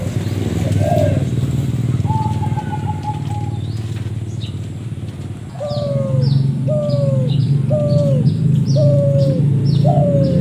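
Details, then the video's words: Spotted dove with an unusual voice, recorded as a lure sound: after a strained opening and a long flat trilled note, a series of short downslurred coos follows every second, over heavy low rumble and high chirps from small birds. "burung balam suara aneh"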